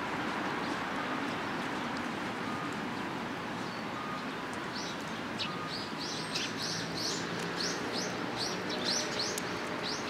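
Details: Sparrows coming to take food set out on a support post at Tenmangu shrine, 9 November 2022; short high chirps repeat rapidly in the second half over a steady broadband hum of traffic-like noise.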